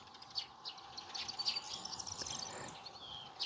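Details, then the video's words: Spring dawn song of a nightingale, termed kląskanie: a fast run of varied high notes, short piercing whistles and ticking clicks, with a constant droning hum underneath. "śpiew słowika Nie mówi się śpiew Nie mówi się trele tak jak o innych ptakach"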